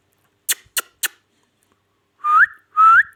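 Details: Pakistani pet ringneck parrot making three sharp clicks, a short silence, then two clear whistles that glide upward, in a quiet indoor room.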